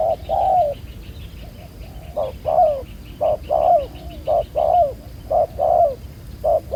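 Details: Wild-caught spotted dove with a black-beaded collar, used in ground decoy trapping, coos well: paired low hooting notes, a short coo then a longer falling one, repeated about once a second, with faint high chirps behind.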